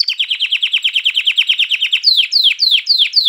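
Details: A canary sings to excite females to breed and teach young birds: a steady series of about twenty short downslurred chips, then a slower run of louder, higher notes sweeping sharply downward.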